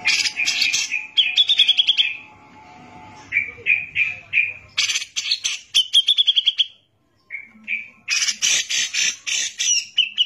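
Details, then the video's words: Brown-cheeked bulbul in rough mbeset-style gacor song for tutoring: dense harsh bursts alternate with short rising whistled notes and rapid pulsed phrases, nearly continuous throughout. "CUCAK JENGGOT GACOR BISA BUAT MASTERAN"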